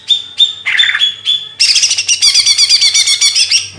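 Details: Bird singing as chirping training material: several short sharp whistled notes and a squawk, then a long rapid burst of dense scratchy chattering phrases, loud and close.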